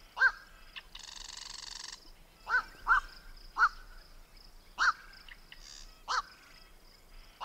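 Black-crowned night heron giving single harsh, croaking 'quok' calls, about six in seven seconds at an uneven pace, with a brief burst of buzzy noise early on.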